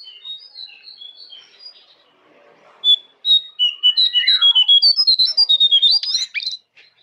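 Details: Jongkangan singing on a master track for training caged birds: quiet thin notes, then a lively burst of bright whistled chirps that rise and fall quickly before stopping abruptly.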